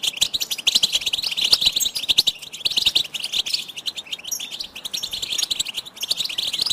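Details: Goldfinch song for training songbirds, a busy, bright twitter of quick repeated chirps and tinkling phrases that rise and fall in loudness.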